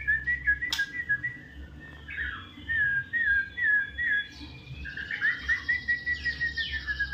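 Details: Magpie-robin singing a series of clear whistled notes, short slurred phrases repeated at a quick, uneven pace, with some higher ringing notes near the end; low background hum throughout.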